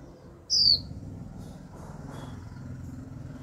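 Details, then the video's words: Young female white-eye calling 'chíu' to prompt males into song: one bright, descending whistled note near the start, followed by faint soft chirps against a low, continuous hum. "Khuyên mái tơ chíu liên tục kích bổi líu ngay!"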